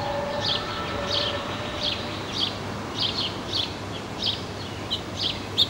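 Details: Black-capped chickadee nestlings about four days old, hatched 15 May and recorded 19 May 2015, while busy parents bring food. Short high chips repeat about twice a second over a steady low rumble and hiss.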